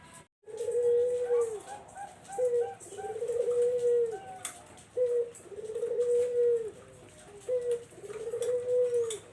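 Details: Barbary dove call used as a lure for zebra doves: a loud, close, steady series of three two-part coos, each a short note and then a long, smooth purring coo.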